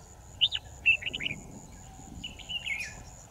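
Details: Decoy red-whiskered bulbul singing during trapping, 10 December 2018: a few sharp whistled chirps, a pause, then a softer warbled phrase, with faint hum behind.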